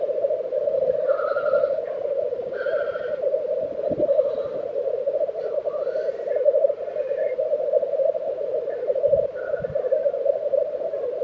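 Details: Black grouse at a lek in Tiveden, Sweden, in April 2023: a steady, dense low bubbling chorus runs throughout, with brief higher bird calls drifting over it in the first seconds.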